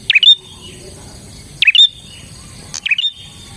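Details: Bar-winged prinia, a lure recording for trapping prinias: three quick chirp phrases, each a swooping note ending in a thin high whistle, spaced over a second apart, with a faint low background rumble.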